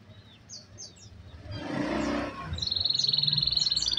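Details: Canary song from a tutor recording for reluctant singers: a few faint high slurred notes and a burst of noise, then a bright, very fast steady trill.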